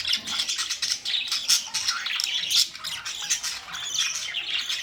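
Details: Budgerigars recorded on May 2, 2023, giving a continuous busy chatter of overlapping high squawks, chirps and warbles, with several birds calling at once and barely any pause.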